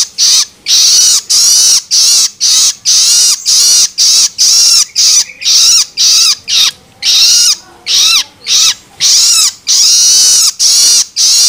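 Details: Young long-tailed shrike's loloan begging, a sound meant to stimulate adult shrikes. A long series of rough, hissing screeches, each with a downward-bending tone, comes roughly twice a second with short gaps.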